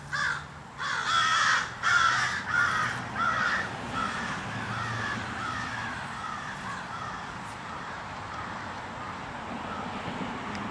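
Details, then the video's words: Crows in mourning call with quick harsh caws for about four seconds, then the calls fade into softer, distant cawing and background hiss. "Crows in Mourning"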